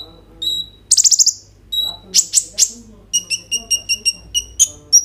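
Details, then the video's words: Kolibri ninja, a sunbird kept by Indonesian bird keepers, sings a lively mix of high sharp chirps, rapid buzzy bursts and a run of evenly spaced bright tweets, recorded on a phone and played to prompt konin birds into singing. "KOLIBRI NINJA GACOR FULL ISIAN ROLL TEMBAK, COCOK UNTUK PANCINGAN KONIN BAHAN BIAR BUNYI"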